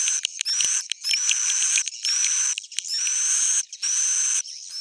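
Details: Swiftlets in an old-style recording: bursts of high buzzy chatter, each with a bright whistled note that rises, separated by short silent gaps and a few sharp clicks.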